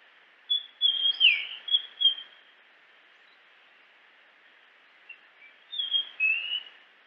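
Japanese grosbeak giving two short bursts of clear, fluty whistles with slurred notes, separated by a few seconds of quiet over a steady background hiss.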